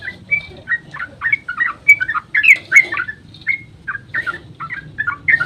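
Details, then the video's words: Dawn 'ropel' lure song of a yellow-vented bulbul, meant to prompt other birds to reply: short liquid warbled notes about every third of a second, with a louder, busier burst midway over a faint low hum. "trucukan GACOR ROPEL SUBUH PANJANG buat pancingan trucuk agar cepat bunyi"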